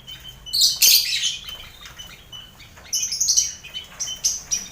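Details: Caged lovebird colony mixed with finches and quail, a busy aviary used to train contest lovebirds: dense shrill chirping surges, then rapid thin squeaks and sharp chips repeated quickly between louder outbursts.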